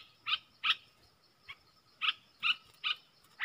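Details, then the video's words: Fainter bulbul notes during a caged bird's singing duel with wild birds, 3 October 2021: a few separated bright chirps, some doubled, over a hissy background. "เสียงนกกรงดอกแตงEp.82 ดวลเพลงกับนกป่า!!Birds sounds"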